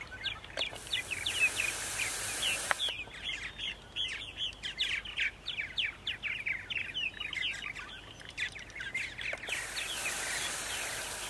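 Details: Purple martins on a spring morning, April 14, 2012, around 8:30 AM, in Center Moriches, Long Island, New York: many rapid, overlapping, gurgling chirps and downslurred notes, with brief bursts of wind or handling noise at the start and end.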